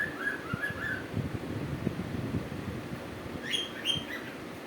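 A cuckoo gives soft, slurred whistled notes in quick pairs, then brighter, higher chirps near the end, over a steady low rumble.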